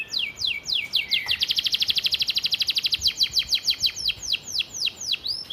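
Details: Canary singing a training master vocal with gereja, bren, cigun and flamboyan fill: descending whistled sweeps, a fast even rolling trill of about forty notes, then slower steep downward strokes, over clean quiet background.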